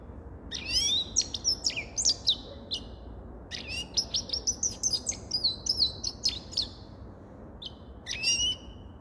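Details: Grey-crowned goldfinch singing: bright, twittering phrases of quick high chirps and short slurred whistles, given in two bursts separated by a brief pause, then a final short trill.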